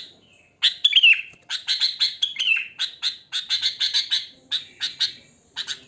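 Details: Wild sooty-headed bulbul in natural song without added mimicry, used as a lure to set other bulbuls calling: bright chirped notes near the upper mid range, some sliding downward, delivered in quick bursts with short pauses.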